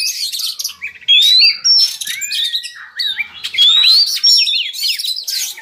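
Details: Oriental magpie-robin song serving as a lure to lift breeding drive in captive birds: loud rising whistles repeated every couple of seconds, linked by harsh chirps and twisting phrases.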